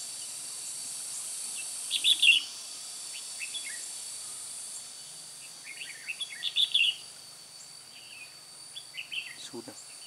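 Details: Red-whiskered bulbul serving as a trapping decoy in Hòa Bình, 10 May 2017: two louder bursts of rapid, sweet chirping notes, then softer scattered twitters, over a continuous high-pitched background whine.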